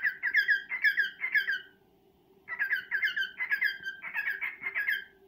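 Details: Courting male cockatiel singing to a female: a short chirping warble, a pause of under a second, then a longer string of rapid slurred notes, with a low steady hum in the room.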